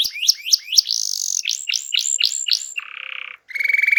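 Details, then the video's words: Canary singing hard to lure silent birds into song: sharp rising chips, then a series of swooping whistled notes, then a low buzzy roll and a high fast trill. "Kicau Burung Kenari Gacor Ngegas untuk Pancing Burung Diem"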